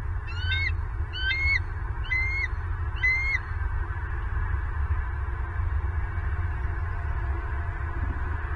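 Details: Bald eagles at a nest in Southwest Florida, nest camera, 24 November 2022 around 11:06; four sharp, high, falling chirping calls in quick series over the first few seconds, then only a steady low rumble of wind.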